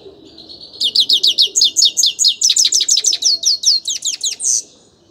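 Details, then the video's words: Song of a grey-crowned goldfinch: a long, rhythmic series of quick, high chirps that rise and fall, delivered steadily for about four seconds before stopping. "Пение щегла | пение седоголового щегла"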